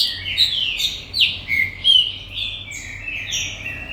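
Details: Commercially bred green-winged saltator giving loud whistled notes in quick bursts, sharp accented phrases early, then softer trailing whistles.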